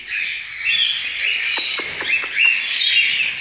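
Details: Cockatiel chicks recently out of the nest being hand-fed, three times a day at this age, give a continuous raspy, hissing begging chorus with short high chirps woven through; a few soft clicks in the middle.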